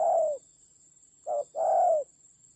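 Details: Spotted dove decoy calling during a fight in the Central Highlands of Vietnam: a drawn-out low coo, a pause, then a brief note and another longer falling coo, with a constant thin high tone in the background.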